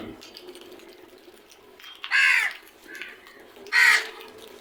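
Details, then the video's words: Two loud, harsh crow caws about a second and a half apart, each a broad burst lasting under half a second, over quiet background murmur. "Loud noise made by really smart crows"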